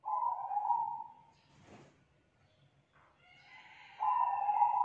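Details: Spotted dove, a young bird from the wild with a loud, melodious 'kuk 2' song, giving a flat buzzy coo, a near-silent gap with faint rustling, then another coo joined by fainter higher tones.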